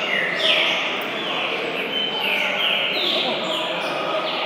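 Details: A one-year-old green-winged saltator on its first outing from home to a singing gathering sings loud, clear whistled phrases of rising and falling notes every second or so, over a steady hiss of background noise.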